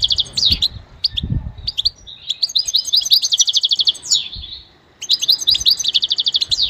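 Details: Goldfinch song for training: a few scattered chirps, then long runs of rapid rattling trills and twitters ending in a falling slurred note, a pause, and another fast trill; a few soft knocks early on.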